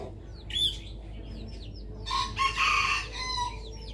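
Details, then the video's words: A rooster on a rooftop gives a loud, hoarse crow lasting about a second and a half while small birds chirp and twitter in the background. "Rooster Crowing"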